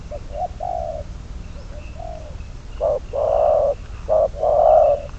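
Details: Decoy spotted dove used for trapping starts with soft, distant coos, then gives two loud short-long coo pairs in the second half.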